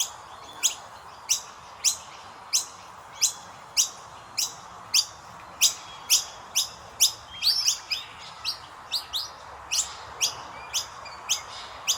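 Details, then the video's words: Common myna chicks being fed by their parents give harsh, high chirps about twice a second, with a brief flurry of overlapping calls midway over a faint steady hum. "Indian Miner Birds Feeding their babies | Chubby baby birds chirping"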